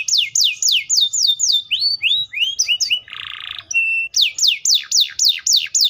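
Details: Canary song with fast repeated descending whistles, a phrase of upslurred notes, a buzzy rattle, a short flat whistle, then more falling whistled notes.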